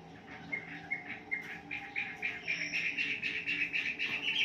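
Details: Wambi lure song for a morning session with caged birds: short bright notes repeated about four times a second, growing louder into a fast, even chattering series.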